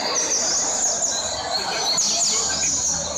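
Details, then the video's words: Caged pet Double-collared seedeater, finishing a run of 147 songs, delivers a bright high twittering song of fast swooping notes, with a sharper burst of descending slurs near the midpoint and constant background hiss. "Coleiro Surpresa do amigo Raul um luxo de ave, finalizou com 147 cantos!"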